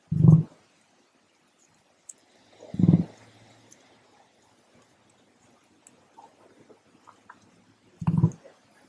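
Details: One of two emus at a cafe in Lithgow, New South Wales, Australia, gives three deep, hollow booming grunts spaced unevenly several seconds apart, with only faint clicks and rustles in between.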